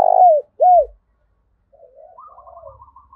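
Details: Spotted dove lure call, used to draw in wild doves: a loud rolling coo and a falling note around half a second apart, then a softer stretch of quieter, wavering coos in the background.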